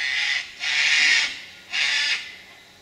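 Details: A Sulphur-crested Cockatoo in gum trees gives three harsh, raspy screeches, the middle one longest, each under a second with short gaps between.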